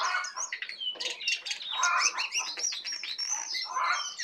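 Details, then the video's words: A tame Brown prinia in 'isian' song, singing a lot; continuous varied warbling with quick rising and falling chirps and buzzy bursts, dense and energetic. "jongkangan jinak dan gacor full isiaan"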